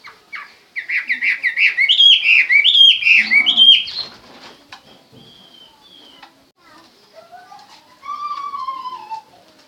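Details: A Chinese hwamei bursts into a fast chain of loud, varied whistled notes for about three seconds, then falls quiet. Later comes a softer thin whistle and a long, low, slowly falling whistled note.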